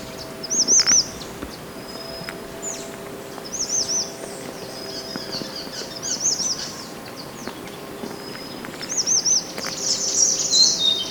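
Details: Natural mountain white-eye, a training master for other birds: separated short bursts of high, looping chirp phrases every couple of seconds, closing with a denser twitter, over a low steady hum.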